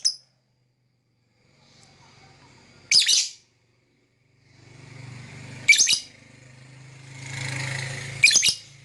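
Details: Lovebird calling with three separate loud, raspy chirps spaced a few seconds apart over a low rumbling background hum.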